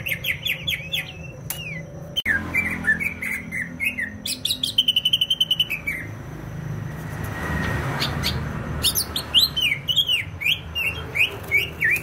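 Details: Greater green leafbird from Banyuwangi, East Java, in varied song: chattering slurred whistles, a fast rattling trill, then renewed bright up-and-down whistled phrases, with some low background rumble.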